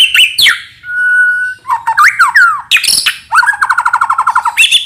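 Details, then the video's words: Shama lure song: a steady pure whistle, a few swooping slurred notes, then a rapid stuttering trill of evenly spaced notes, all loud and close. "Pikat Suara Burung Murai Batu"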